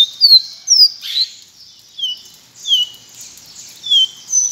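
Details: Pileated finch (Sporophila pileata, caboclinho branco) singing a series of clear, downslurred whistled notes about every half second. A hissy, chattering background runs underneath.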